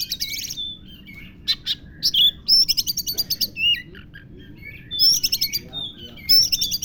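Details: Oriental magpie-robin song filled with imitated lovebird notes: bursts of rapid high chirping trills alternating with sharp whistled slurs and short pauses, faint low hum underneath.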